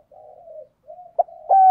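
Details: Spotted dove decoy bird giving the 'thúc gù' call in 'thổ đồng' voice style, used to lure wild doves for trapping: soft, low murmured coos, a short pause, then louder, firmer coos closing the sequence, with no background noise.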